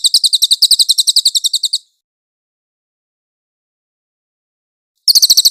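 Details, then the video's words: Velvet-fronted nuthatch trilling in a clear tutoring recording with pauses, suited to training white-rumped shamas: under two seconds of rapid high chipping notes, about three seconds of silence, then the trill starts again briefly. "MASTERAN BURUNG CILILIN JERNIH !!!"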